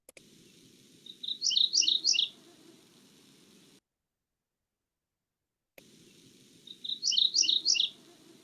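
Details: A male Mourning Warbler, singing from inside wetland vegetation in Newfoundland, gives its song twice: each a rapid, high string of about five rich, slurred paired notes lasting roughly a second, over a low steady hum.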